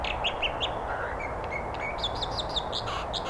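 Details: An American Dipper along the Britannia Slough, Dentville, Squamish, gives sharp, high notes in quick runs of three or four, about five per second, over a steady rush of water.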